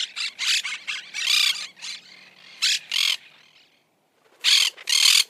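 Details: Monk parakeet giving a quick series of harsh squawks, then a softer trailing chatter, a short silence, and two loud raspy squawks to finish.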